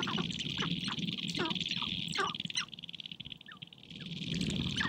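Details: Sharp-tailed grouse courtship on a spring prairie hilltop, the birds dancing and fighting for females: a dense high rattling buzz with quick clucks and short rising notes, and low pulsing that quiets briefly before resuming.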